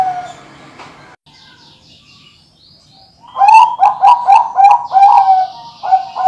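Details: Bangkok-type large-voiced zebra dove kept by an Indonesian breeder. A soft coo opens, then quiet follows. A loud rapid burst of rolling, bubbling coos comes next, then a clear sustained note.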